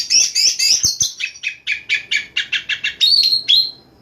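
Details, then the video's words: Night singing of an Oriental magpie-robin: high rippling notes give way to a rhythmic series of short chattering phrases about four per second, closing with clear whistles. "PANCINGAN BURUNG KACER DI MALAM HARI II NYEMBUR NYEMBUR"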